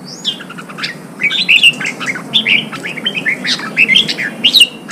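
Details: Red-whiskered bulbul, a Vietnamese cage bird, giving song meant to provoke fighting: a steady run of lively, slurred whistled chirps and short warbles, rising and falling, filling nearly five seconds.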